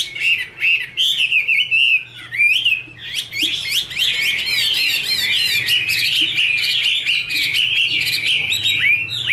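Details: Female Chinese hwamei singing with a male behind her, kept bird: opening slow whistled notes give way to a fast, dense, continuous warble of rapid trills and varied whistles.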